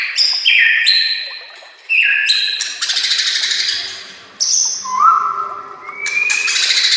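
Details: Shama master song for coaching other birds: loud, fluttering whistled phrases in short bursts separated by brief gaps, with a long rising whistle near the end.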